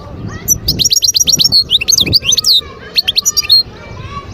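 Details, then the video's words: Wild European goldfinch from Skikda, Algeria, singing: rapid bright twittering with fast runs of high chirps and trills, short liquid notes in quick bursts, faint low background murmur. "صوت الحسون البري"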